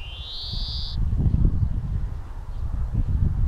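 A European greenfinch gives one drawn-out, nasal, buzzy wheeze lasting about a second, then falls silent under a steady low rumble of wind or distant traffic.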